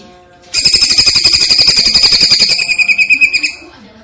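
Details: Masteran recording of a greater green leafbird in platuk-versus-cililin style with breaks. After a quiet half second comes a three-second run of sharp, metallic repeated notes at about four per second, then it falls silent.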